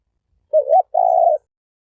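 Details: Turtle dove (spotted dove), a single bird: two low, mellow coos, the first short and slightly wavering, the second longer and steady, given in under a second against silence.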